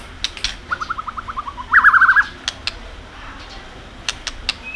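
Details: White-rumped shama singing with 'tạch' clicks to stimulate subdued birds: a short run of quick even notes, then a brief louder buzzy burst, with sharp dry clicks scattered before and after.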